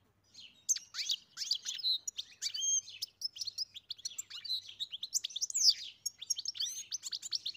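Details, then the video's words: A European goldfinch in song, pouring out a long, unbroken stream of rapid chirps, trills and quick rising and falling whistles, lively and bubbling throughout. "Καρδερίνα μελωδία (Goldfinch carduelis SINGING)"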